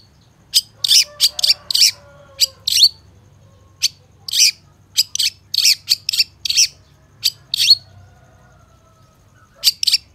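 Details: Long-tailed shrike training song: clustered bursts of rough, scratchy chatter alternate with pauses of a second or more. Faint lower warbling appears early, with a steady low hum beneath.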